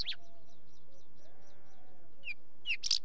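A Wheatear gives a quick run of faint high chips, then a few hard, clicking chack notes; a distant bleat sounds beneath a low rumble.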